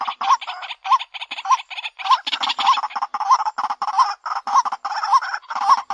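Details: Repetitive White-breasted waterhen lure call, a rough, crackling series of choppy bursts with a recurring rising kwak in each, the pattern denser and more broken in the middle.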